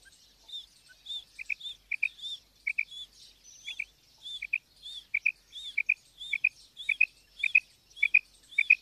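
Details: Female quail calling steadily: short, sharp high chirps alternate with quick doubled notes a little lower in pitch. The pattern repeats roughly twice per second over a quiet, clean background with no other sounds.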